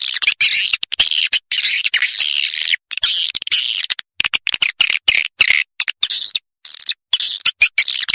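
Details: Swiftlet lure, used in many places including forest areas: continuous high, raspy twittering broken by sudden short gaps, the chatter rising and falling in intensity.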